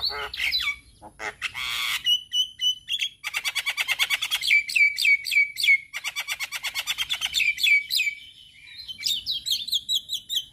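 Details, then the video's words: Male Javan myna song used for training other mynas: whistled opening notes, then long fast trills of rattling pulses on a steady high pitch, broken by pauses and a final whistled phrase. "Ocehan Jalak Kebo Jantan Cocok Untuk Pancingan Segala Jenis Burung Jalak Belajar Bunyi"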